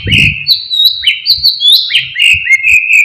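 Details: White-rumped shama, a kept songbird, singing sharp material meant to provoke rival birds: loud clear whistled phrases, some slurred and rising, repeated steadily, with a brief low thump at the start.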